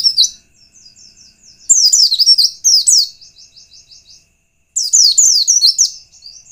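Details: White-eye singing a lure to provoke others of its kind: loud high twittering bursts alternating with runs of soft, evenly repeated chips, the phrases running nearly continuously.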